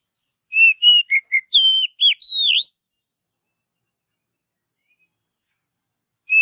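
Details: Forest-dwelling Oriental magpie-robin gives one brisk phrase of loud piping whistles with twisting slides, followed by several seconds of silence and the start of another phrase.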